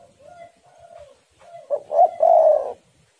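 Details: A lure recording meant to make other spotted doves sing. Soft, smooth, sustained coos lead into a loud phrase of stuttered notes ending in a long, rough coo.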